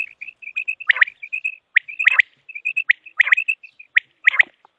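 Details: Quick run of short piping notes from a common quail, a call used for hunting quail, broken every second or so by a harsher sweeping burst, with the notes steady in pitch throughout.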